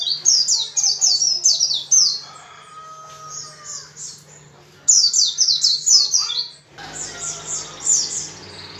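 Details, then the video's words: Vigorous white-eye singing to coax other white-eyes into song: fast runs of high, piercing twitters falling in pitch, a thin sustained whistle in the background, then another burst of rapid chattering notes over a low hum. "PLECI GACOR dengan cepat membuat pleci ngalas dan pleci buka paruh"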